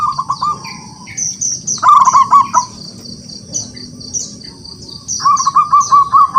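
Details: Local wild zebra dove singing vigorously to call rivals into song: short bursts of rapid, rolling coo notes, the loudest near two seconds and another string after five seconds, with thin high chirps of other birds running steadily behind.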